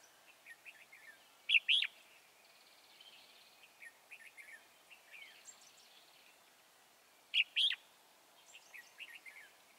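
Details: Wild red-whiskered bulbul trapped at Chùa Hương, 24 March 2018: short, soft twittering notes build to two loud, rich whistled phrases about six seconds apart, with faint chatter in between.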